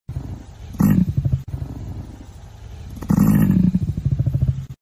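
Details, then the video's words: Emu giving two deep, throaty bursts of rapid low thumping pulses that slow toward the end, with a faint background hum between them. "Emu make sound"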